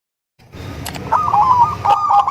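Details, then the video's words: Local crossed with Bangkok-type zebra dove, a melodious song used to lure other zebra doves: after a quiet start, a short run of mellow, bubbling cooing notes at a medium pitch, with a few faint clicks. "Perkutut lokal#krosing#bangkok suara merdu untuk memancing perkutut anda"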